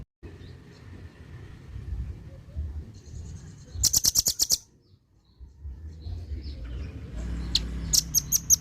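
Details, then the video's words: Rough-toned velvet-fronted nuthatch used in Indonesia to school songbirds: a rapid burst of about eight loud, high staccato notes, a silent gap, then a second shorter ticking series near the end over low rumbling background. "RAMBATAN PARUH MERAH,SUARA KASAR"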